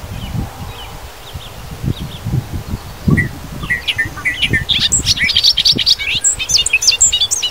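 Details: Bobolink song from Wisconsin fields and grassland: low thumping rustles at first, then a rapid cascade of bubbling, gurgling, metallic high notes filling the second half.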